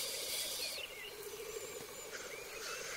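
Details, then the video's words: Black grouse at their lek, where males court and mate: a rolling bubbling coo under a hissing burst, with thin whistled calls from other birds. "Galli forcelli sulle arene di canto"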